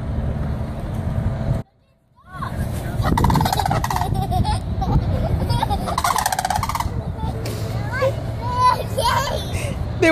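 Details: Sandhill cranes in Florida on 8 January 2015 give loud, rolling, harmonic trumpeting calls repeated through most of the recording after a brief silence, while a person talks to them over steady background noise.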